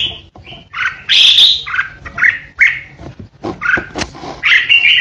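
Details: A caged decoy red-whiskered bulbul delivers the fierce 'ché' song of fighting-song birds. It pours out rapid, scratchy whistled bursts separated by brief gaps, with occasional hard tapping clicks.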